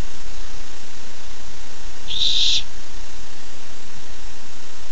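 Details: Barn owl owlet on a nest camera, 13 July 2015, excited as it receives its first treat; a single brief, hissing, high noisy screech lasting about half a second, over a faint steady background hum.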